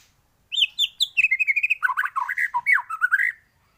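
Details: Full, varied song of a white-rumped shama meant as a master for teaching birds to sing: quick series of sharp notes followed by rolling, lower warbled phrases, about twenty notes in three seconds.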